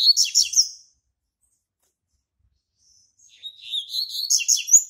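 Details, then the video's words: Caged male Double-collared Seedeater, a tutor bird used to teach song to others in a breeder's flock: a burst of bright, buzzy high phrases, a long silence, then a rapid, chattering twittered phrase rising and falling in quick notes. "COLEIRO ZOHAN UM DOS GALADORES E PROFESSORES DO MEU PLANTEL"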